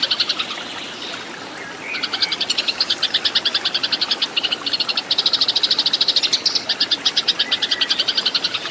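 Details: Eurasian tree sparrow in fighting song, recorded as a lesson for cage birds. Softer chatter opens, then loud, rapid high chirps in long even trains, a few per second more than two, against background hiss.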